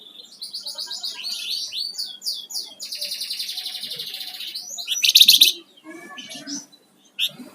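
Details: Flamboyan songbird in gacor song: quick rhythmic whistled slurs building into a long rapid rattling trill, then a loud harsh burst and scattered sharp notes before falling quiet.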